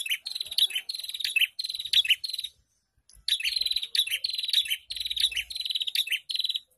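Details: Prinia ombyokan chorus played so caged prinias sing readily. Repeated bursts of high, rattling trills stream for several seconds, break off into a brief silence, then resume in dense overlapping phrases.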